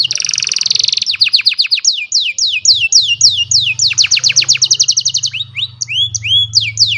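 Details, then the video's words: On a sunny morning an old canary sings, recorded by cellphone: a dense buzzy trill followed by fast repeated downward-sweeping whistles and rolling trills, with a low steady hum in the background. "The Beautiful Sound of an Old Canary, in a Sunny Morning"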